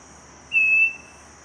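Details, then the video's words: Scaly-breasted Wren at Cocorna in the Magdalena Valley, filmed through a scope: one pure, steady whistled note lasting about half a second, clear and level in pitch, over a continuous high insect drone. "Scaly-breasted Wren - Microcerculus marginatus"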